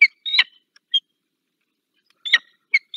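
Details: Peregrine falcon visiting in Dolina Baryczy, Poland, on 15 February 2023: harsh, broken calls with sharp bands near the upper range, given in short bursts separated by silence.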